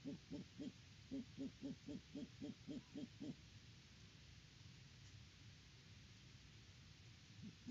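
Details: At a nest tree on a Kansas farm, a great horned owl gives a quick, fairly regular string of short, low clucking notes, roughly four per second, then falls silent against faint rain-like background noise.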